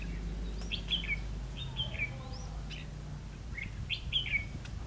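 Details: Red-whiskered bulbul used as a decoy during trapping on 9 September 2016, singing short liquid whistled phrases that rise and fall, repeated in quick sets, over a steady low hum and faint background chirps.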